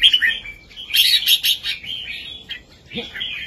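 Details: Red-whiskered bulbul giving a southern-style master song meant for teaching young birds: rapid chattering warble with bright, slightly harsh high notes in the middle, then a softer trailing phrase.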